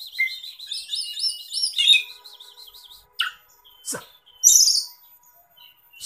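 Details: Oriental magpie-robin (kacer) song for luring or tutoring other kacer: a fast run of repeated whistled upslurs, then scattered sharp calls and a loud harsh burst.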